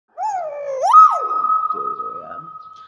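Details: Common hill myna giving a voice-like, wavering tonal phrase that dips and then rises sharply into a long, flat, sustained whistle, with a softer murmuring sound beneath toward the end.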